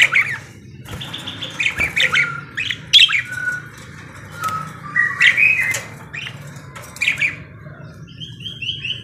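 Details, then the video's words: Singing parakeet giving a steady stream of short squawks, chirps and sliding whistled notes in quick clusters, with a soft repeated high twitter near the end and a low hum underneath. "BURUNG PARKIT GACOR CANTIK"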